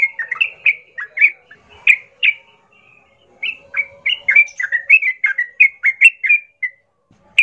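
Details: Sooty-headed bulbul in full, lively song, played to provoke other bulbuls to fight; clear liquid notes dropping and rising, delivered in quick succession with a brief gap midway.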